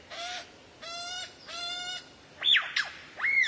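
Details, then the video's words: Tutor recording for kacer training: three drawn-out nasal, harmonic-rich notes about half a second apart, followed by quick sharp whistled slurs rising and falling. "MASTERAN BURUNG LANGKA YANG BISA JADI SENJATA PAMUNGKAS BURUNG KACER"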